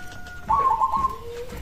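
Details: One quick rippling coo phrase from a local zebra dove, a song said to make other doves respond immediately, accompanied by faint steady tones and quiet room noise.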